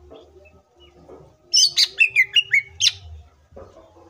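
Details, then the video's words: Lure song of a green leafbird, used to make rival green leafbirds sing quickly and excitedly; over low background hum, a tight burst of high, sweeping whistled notes lasts about a second and a half, then fades to murmuring. "CUCAK IJO FULL ISIAN PALING MEWAHH❗AMPUH BUAT PANCINGAN IJO AGAR CEPAT BUNYI DAN EMOSI!"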